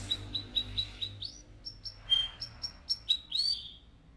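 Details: Canary song meant to excite the male and prepare the female for breeding: short high notes repeated about every quarter second, then scattered whistled and buzzy phrases with a low hum beneath.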